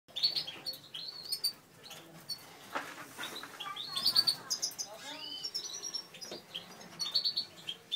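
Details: Satinet canaries in a breeding setup, a natural/satinet male paired with a satinet female: bright, high chirps and short twittering phrases come in bursts, with sharp whistled notes repeating throughout and soft background murmur.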